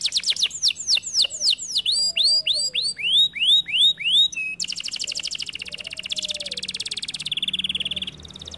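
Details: Canary in vigorous song: a run of sharp downswept then upswept whistled notes speeding along, followed by dense, buzzy trills that shift in pitch toward the end.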